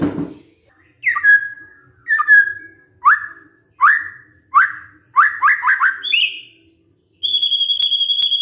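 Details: Magpie-robin song played as a lure to provoke a quiet bird into replying: a string of loud, downslurred whistles about once a second, then a quick cluster, a sharp high note, and a thin steady trill.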